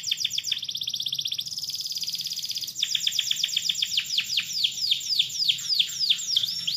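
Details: Atlantic canary in full, continuous song: a dense high rolling trill, a brief shift to a steadier buzzy trill, then a long series of quick downward-sweeping notes repeated about three times per second.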